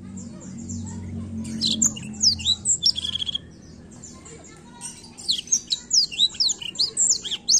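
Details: Chatty rolling song of a Black-throated canary, meant to rouse young birds: high twittering phrases with swept notes, a short silence midway, then quick clipped chips repeated about twice a second.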